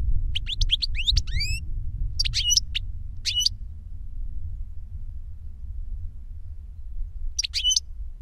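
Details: An older goldfinch sings to teach a younger goldfinch: a couple of brief twittering phrases with steep rising whistles, a long gap filled only by low rumble, then one last short twitter.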